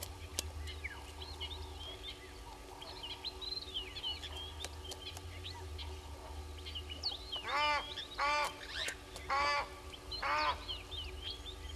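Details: Egyptian goose at Gowrie dam waterhole, Djuma Game Reserve, Sabi Sand, South Africa, picked up by a live waterhole camera at 05:57 on 09/05/21; four loud, harsh, harmonic honks come in quick succession late on, over steady twittering of small birds.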